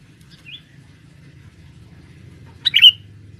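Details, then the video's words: Male sooty-headed bulbul, a lure for trapping in forest: a faint whistled note early, then after a pause one strong, sharp chirped call with a bright ringing tail, low hum underneath. "pikat burung kutilang jantan buat pancingan di dalam hutan"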